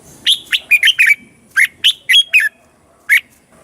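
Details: Thai caged Red-whiskered bulbul singing a southern master-style song meant for teaching young birds and rousing caged birds: rapid bursts of sharp, sweet chirps in two phrases, then a single closing note.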